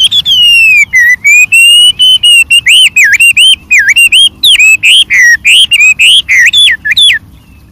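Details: White-rumped shama singing in the wild, its song rich in variation: loud, clear whistled phrases swooping and rising around a steady pitch, delivered in quick bursts of rapid repeated notes with brief pauses between them.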